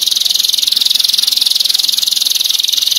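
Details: Canary master song in the dense, sharp 'tembakan' style with a long roll: a steady, high buzzy trill of rapid identical pulses, about three to four per second in the loudness beat, held unbroken throughout.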